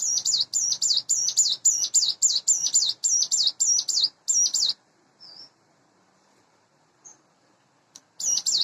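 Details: Morning singing by an eight-month-old hand-reared captive Sunda bush warbler: a fast string of sharp, high, hooked notes lasting several seconds, then near silence with two soft isolated chips before the series restarts.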